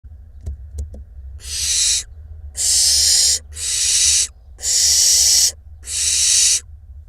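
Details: Barn owl fledglings in a nest box in Israel as night approaches, ready to leave the box: long harsh hissing screeches, five broad noisy bursts about a second each with short gaps, over a low steady hum and a few faint clicks.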